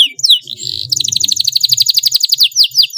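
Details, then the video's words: Canary song meant to teach young birds to sing: downslurred whistles and a short buzz, then a fast rhythmic trill of bright high notes and a few sweeping slurs at the end. "CUIT CUIT PALING AMPUH MERANGSANG BUNYI PAUD BELAJAR BUNYI"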